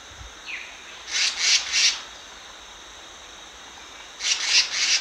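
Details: Decoy Black-naped monarch calling: a faint short slur, then two groups of three high, rasping, file-like notes separated by a gap of about two seconds.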